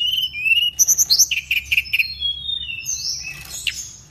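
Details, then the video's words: Pygmy cupwing from Indonesia singing vigorously: high, thin whistled notes and quick rising slurs, a burst of rapid repeated chips in the middle, then long drawn whistles and sweeping squeaky phrases. Faint low background hum. "Burung Teledekan Gunung gacor"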